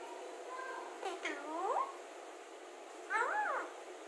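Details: Talking Alexandrine parakeet kept as a pet, uttering three arched, harmonic, word-like calls that climb and then drop, with short pauses between them, over a constant low hum indoors.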